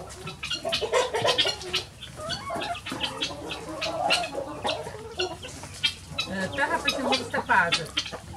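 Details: Free-ranging farm chickens rushing from the opened coop at morning: dense, overlapping clucks and brief squawks from many birds, nearly continuous with quick rhythmic bursts throughout.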